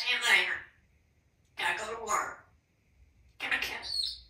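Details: Pet African grey parrot, a male living indoors in Texas, producing three bursts of imitated speech about two seconds apart, rich and harmonic with a faint low hum underneath, the last ending in a thin whistled tone.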